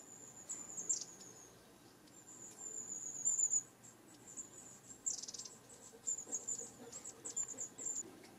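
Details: Long-tailed tit contact call, which keeps a flock in touch as the birds move from tree to tree: very high, thin 'tsee-tsee-tsee' notes in short runs, scattered through the clip over a soft background hiss.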